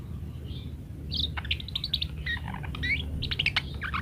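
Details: Parakeet in varied chattering song, recorded as master material for teaching other birds: quick high chirps, squeaks and short warbled notes tumbling together after a quiet start, over low steady rumble.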